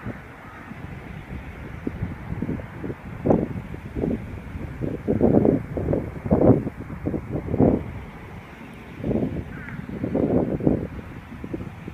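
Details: Low muffled speech-like voices and rumbling wind or traffic noise, with no clear animal call.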